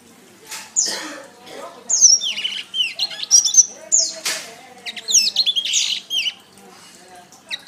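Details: Canary masteran song: scattered sharp clicks and rustles, then fast high whistled phrases and buzzy notes in short bursts.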